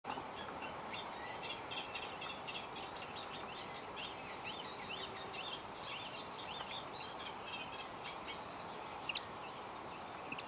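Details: A male common linnet at Bicester, 5 June 2012, gives quick, dry twittering notes in a near-continuous chatter, over a steady hiss of background noise.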